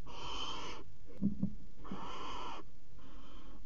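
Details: Barn owl pair mating on the nest box edge at the Axel water tower, 5 February 2018: three harsh, breathy hisses, the first and second long and loud and the last softer, with faint knocks between.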